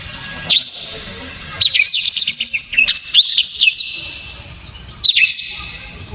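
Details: Songbird known locally as blacktrod, prized for a loud, dense, sharp delivery. A brief high twitter opens, then a longer run of rapid whistled slurs and trills, and a short burst returns near the end.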